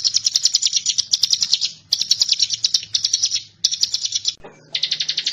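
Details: Bar-winged prinia, a training master for magpie-robins, singing high chattering trills in runs of about a second, separated by short gaps, the notes quick, sharp and evenly repeated.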